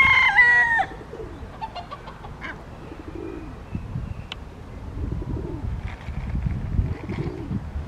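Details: Yellow-legged gull (Larus michahellis), one of two waiting for food scraps at the picnic area of Parque Marechal Carmona, Cascais, giving one loud, harsh, nasal call that drops at the end, followed by low rumbling background noise.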